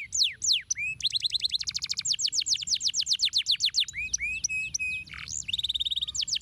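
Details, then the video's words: Canary pouring out varied song: sweeping slurs, a dense fast trill of short descending notes, looping whistles and a low buzzy dip, then a tight rattling trill, bright and high over faint background hum. "kenari mantul ampuh pancing kenari ngetem nyautt gacor lagi"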